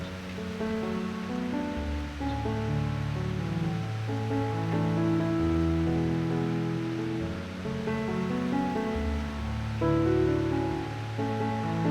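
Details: Sustained instrumental music with layered chords over a soft wash like surf, and no animal calls.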